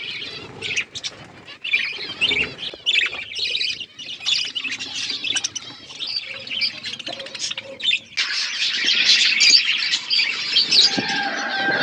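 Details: Feeding flock of budgies, a long stretch of rasping squawks and chirps, patchy and mixed with rustling at first, then a denser, louder wall of chattering from many birds toward the end.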